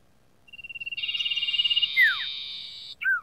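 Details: Sooty-headed bulbul training-lure song: a rapid, accelerating pulsed trill that builds into a broad buzzy rattle lasting two seconds, with a sharp descending whistle in the middle and a final falling note.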